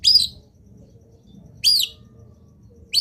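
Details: Long-tailed shrike training recording of a lively singer meant to set other shrikes calling: two loud, harsh, rasping notes about one and a half seconds apart, then the start of a third.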